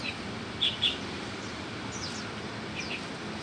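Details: Wild Mugimaki flycatcher giving two sharp, bright chip notes in quick succession early on, followed by a few faint, thin down-slurred notes, all over a steady background hiss.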